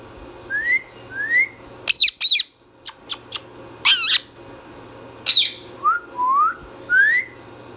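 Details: Green Indian ringneck parrot kept as a pet indoors: paired upslurred whistles, then loud grating screeches in rapid clusters, followed by more rising whistled notes, over a steady low hum.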